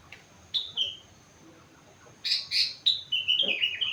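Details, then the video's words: Sooty-headed bulbul, four months old, with rengganis and cucak wilis song imitations: two brief whistled notes, a pause, then loud clustered chirps followed by a quick run of falling, slurred whistles. "Burung Kutilang gacor isi rengganis cucak wilis"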